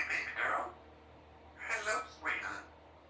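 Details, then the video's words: Three-year-old female Congo African grey parrot kept as a pet in a country home, practising words and sounds indoors: a few short, hoarse, speech-like syllables with quiet pauses between. "A few minutes while Symon the African Grey Parrot practices her words and sounds"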